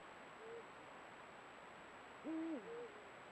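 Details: A Eurasian eagle-owl pair exchange deep guttural contact hoots at their meeting place as breeding nears: a brief soft note, then a louder low hoot and a slightly higher answer, over a faint electronic whine.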